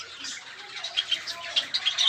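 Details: Captive cockatiels, including lutino and patchless mutations, kept in breeding pairs, one pair with eggs and protective, give bright, scratchy chirps in quick, uneven bursts over a soft, airy background.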